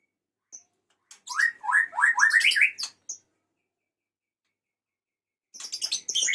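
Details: Male white-rumped shama calling a female: a short, rapid burst of rising chirpy notes over about two seconds, a pause, then a scratchy high cluster of notes.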